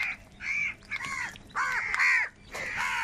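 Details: Crows gathered in huge numbers while fighting for food. Loud, hoarse, downward-arching caws come in short bursts about every half second, with several birds calling over one another.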